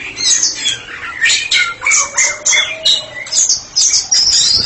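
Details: White-rumped shama, a caged therapy bird in open full song, giving harsh squawky notes mixed with short whistles in bursts about a second apart, over faint background hum.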